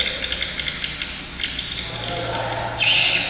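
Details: Swiftlets twitter in rapid, high, clicking chirps, quick pulses several times a second, ending in a louder, denser burst of chatter; a swiftlet-house sound-system recording.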